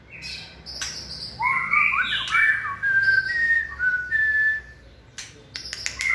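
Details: White-rumped shama in peak 'fire' condition, 20 March 2020: a dense tangle of rich warbled whistles gives way to clear, level whistled notes, followed by a few sharp clicks.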